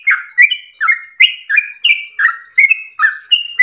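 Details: Yellow-vented bulbul song in ropel style, a quick sequence of rich whistled notes, some sliding down, others level and higher, spaced about every third of a second.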